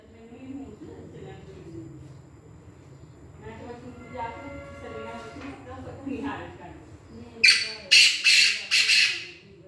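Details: A Black francolin gives four loud, harsh, grating notes in quick succession near the end, after a man talks quietly.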